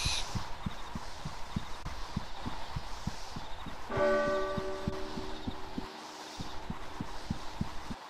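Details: Steady low thumping like a heartbeat runs throughout, with ringing bell-like tones entering at four seconds and fading over a background hiss.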